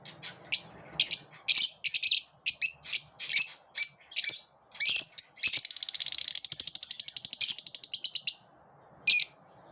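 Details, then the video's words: A series of lovebird chirps at dawn: about a dozen short sharp high notes at steady intervals, then a long fast pulsing chatter lasting over two seconds, ending with one lone chirp. "Love birds chirp beautifully in the morning"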